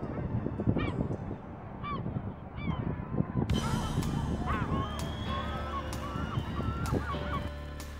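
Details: A Lesser black-backed gull with eye problems, a dark eye and some features suggesting Armenian gull. It gives harsh, nasal, honking calls, some in quick rising-and-falling runs, over a steady low background rumble.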